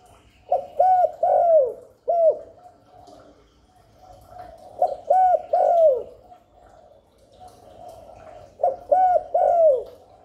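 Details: Spotted dove cooing, meant to lure and stimulate doves. Three phrases, each a clipped note, a rounded coo and a long falling coo, sometimes with a single coo added, over a faint background hum.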